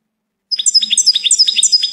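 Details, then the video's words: After a short silence, a goldfinch breaks into a continuous run of tinkling, sliding chirps delivered several per second. "Gold finch TOP SONG of the day"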